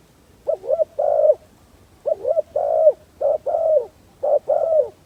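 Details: Spotted dove used as a lure for wild doves. Soft, throaty phrases: a wavering double note then a drawn-out coo, repeated four times at roughly one-second intervals in calm surroundings.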